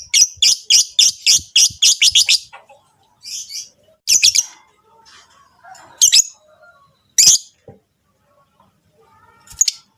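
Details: Rosy-faced and Fischer's lovebirds calling to stimulate breeding in the female. A quick burst of about ten sharp, high chirps opens the sequence, followed by scattered single squeaks and soft chatter.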